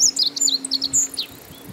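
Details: Meadow bunting singing a quick phrase of high, sharp chirps and short twittering notes, tumbling over about a second before the phrase ends, with a faint steady low hum behind it.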